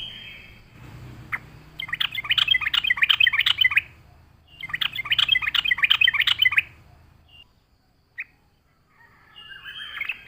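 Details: Yellow-vented Bulbul in full voice, a lure song used to attract birds. Two long bursts of dense, bubbly chattering, separated by a short gap, over a low background rumble, then a few faint scattered notes.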